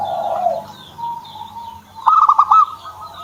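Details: One short burst of quick, bouncing notes from a kept zebra dove after softer low sounds, with faint high chirping from other birds behind.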